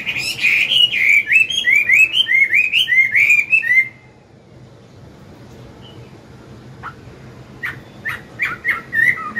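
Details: Old wild-caught Chinese hwamei giving morning forest-style song to train a young bird: about four seconds of fast looping whistles, a silence, then sparse sharp notes.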